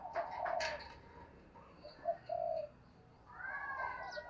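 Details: Spotted dove being urged to coo fast: a short pair of soft low hooting coos in the middle, framed by sharp clicks and chatter early and a rising, harmonic crow-like call from other fowl at the end.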